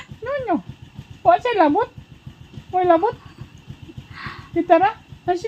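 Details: English-talking Amazon parrot producing several short, squawky phrases that sweep up and down in pitch, spaced about a second apart, with a brief burst of noise between them and a low background hum.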